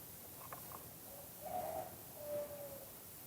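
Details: Spotted dove in the two-kuk-hoi singing style: a few faint clicks, then two low hooting coos, the second drawn out and slightly falling, against a hissy background.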